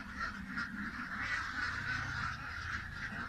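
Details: Ducks quacking together in a dense, continuous, overlapping chorus of nasal calls with no clear gaps between them, plus a low rumbling background noise.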